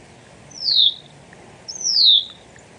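Hutton's Vireo gives two high, buzzy, slurred notes about a second apart, each sliding steeply downward with a strained, clenched-teeth tone, over faint background hiss.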